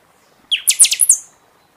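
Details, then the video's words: Buffy-fronted seedeater singing in season, for stimulating caged birds after moult; one short, loud phrase of about six rapid, bright metallic strokes, finishing in a fading high whistle. "Pixoxó cantando muito na temporada"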